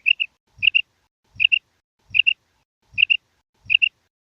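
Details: Female common quail calling to companions with its kirak: six evenly spaced sharp high double notes, roughly every three quarters of a second, each paired with a soft low thump.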